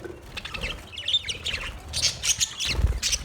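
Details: Budgerigars chirping: bursts of high, scratchy warbled notes with short whistled slides, irregular and overlapping, over a low rumbling background thump near the end.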